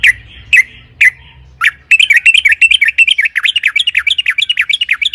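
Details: Trucukan, the yellow-vented bulbul, singing in long-rolling 'ropel panjang' style meant to goad other birds into song: four spaced loud chirps, then a dense, bubbling torrent of quick twittering notes.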